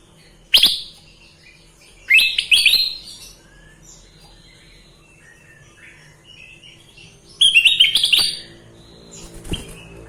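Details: Sooty-headed bulbul (kutilang emas) singing gacor: three bursts of loud, harsh, chattering whistles separated by several seconds of quiet, with a faint background hum.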